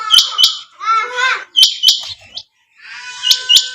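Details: Female quail calling: sharp high notes in close pairs, repeated several times, mixed with a wavering, harmonic tonal phrase.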